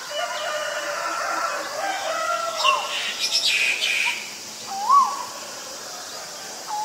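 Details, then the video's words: Male Asian koel giving two clear rising, hooked whistled notes about two seconds apart, with other small birds chirping higher in the background and a steady low hum throughout. "นกกาเหว่าตัวผู้ (Asian koel, Male)"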